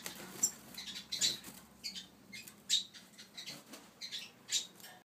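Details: A pair of Yarrell's siskins (yellow-faced siskin) give high, thin twittering notes and sharp chirps in irregular bursts, with a faint low hum behind.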